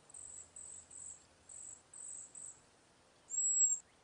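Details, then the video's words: Cedar waxwing flock in a backyard, birds passing berries and insects: thin, very high-pitched hissing whistles in six short bursts about every half second, then a pause and one louder, slightly longer note. "Cedar waxwing call / song, passing berries / insects"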